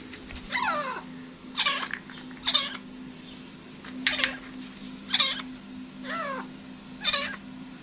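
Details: Grey francolin (desi teetar), a hunting bird, gives harsh, downward-sliding notes. Seven separate bursts come roughly once a second over a low, constant background hum.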